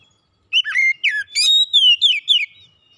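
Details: Song of an Oriental magpie-robin, used as recovery therapy for stressed kept birds: after a brief silence, a rapid sequence of loud, clear whistles, some drawn-out and falling, others short and sharp, ending in a downslurred note.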